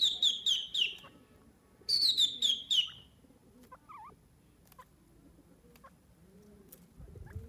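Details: While eating grains, a francolin gives two quick bursts of high, piercing notes, each a rapid run of four or five sliding-down syllables, then quiet with faint background rustling and scattered soft chirps.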